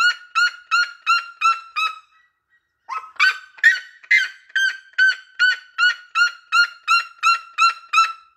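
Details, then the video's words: Red-legged seriema song: loud, harmonic yelping notes repeated nearly three per second, a short pause, then a burst of rougher, overlapping yelps before the steady even series resumes and carries to the end. "O Cato da siriema lindo"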